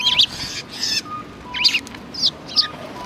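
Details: Several sparrows at a Tenmangu shrine on 4 March 2020 give sharp, clipped chirps in quick bursts, with brief gaps between groups and soft noise underneath.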